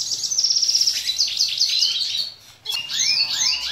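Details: Red siskin of the dilute mutation, in an edited recording made to teach young birds to sing: fast, high twittering trills and buzzy rattles, a brief pause, then a run of sweet rising and falling chirps.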